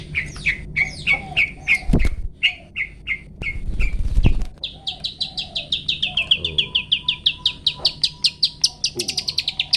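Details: Master recording of a Long-tailed shrike singing 'toet toet', used to train caged birds: rapid chattering phrases of repeated notes, then a long steady series of high, clipped rising chips with a few low thumps.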